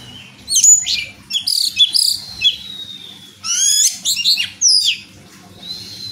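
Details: Captive champion contest orange-headed thrush (Geokichla citrina) sings a rich, fast medley of clear whistles, sliding notes and sharp buzzy phrases in quick bursts, over a faint low hum.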